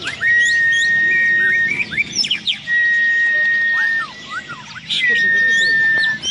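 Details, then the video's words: Murai batu (white-rumped shama) singing at the Bupati Cup Landak songbird contest, 15 October 2017: a long steady whistle alternates with bursts of rapid varied chirps and slurred notes, amid a crowd's background din. "Suara Burung Murai B0G3L"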